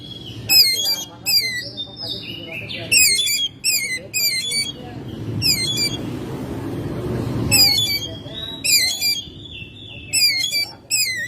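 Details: Oriental magpie-robin kept at home in May, singing repeated bursts of fast, shrill, down-slurred twittering and long clear whistles, with a low rumble like passing traffic in the background.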